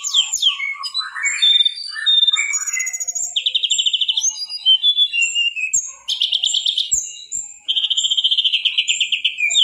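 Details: Mangrove Whistler in full, lively song, a medium-class tutor recording: high whistles and chattering notes, then fast buzzy trills repeated in bursts of about a second.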